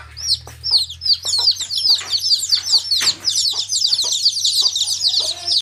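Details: Many baby chicks calling together in a dense, continuous chorus of piercing, curved peeps that pile up and overlap. A few soft thumps and a low hum sit in the background.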